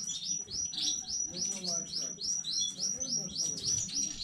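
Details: A young Belgian canary from a new breeding, recorded 15 May 2019, sings a fast, high trill of repeated down-slurred notes, about three or four each second, with faint background murmur.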